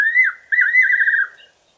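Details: Fiery-necked nightjar calling from a garden tree in the evening, a loud clear whistled phrase: a slurred dip then a sustained, quavering trill that ends with a downward flick.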